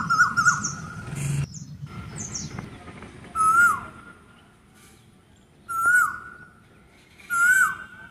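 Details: Asian koel singing: clear whistled notes, each rising then dropping in a short hook, repeated three times about two seconds apart, with a faint low rumble and a few scratchy chirps in the background.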